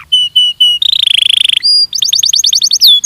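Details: Belgian canary training song: three clear high whistles, then a fast buzzy trill, a pure rising whistle, and a rapid series of sharp downslurred notes ending in a high sweep.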